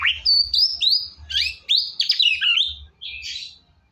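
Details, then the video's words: White-rumped shama singing energetically to stimulate a quiet shama: a dense rush of high sweeping whistles and chirps joined into one lively phrase, ending in a harsh burst. "MURAI BATU GACOR!!! ampuh buat burung murai batu males bunyi"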